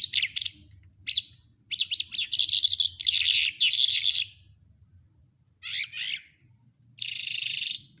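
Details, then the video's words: Lark of Quetta opens with a few sharp separate chirps, then strings dense buzzy, scratchy phrases together, pauses, and adds two more rattling bursts; steady low hum continues. "Lark birds of Quetta singing very nice کوہٹہ لونڈا جل کی آواز"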